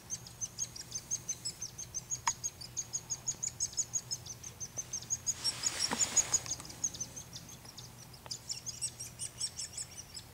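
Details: Hairy Woodpecker nestlings in a front-yard tree cavity, fed by both parents; a long run of high, sharp chirps at about three per second, briefly covered midway by a burst of rushing noise, with a low hum throughout.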